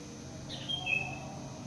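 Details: A bird in a residential complex just after dawn prayer; it later flew off when a motorbike passed. A single thin, high whistle slides downward in two steps, lasting under a second, over a steady low hum.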